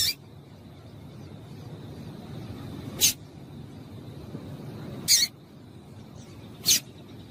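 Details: Female double-collared seedeater calls meant to heat up males: brief hissing chips at irregular gaps of two to three seconds, four in total, over a dull low background rumble.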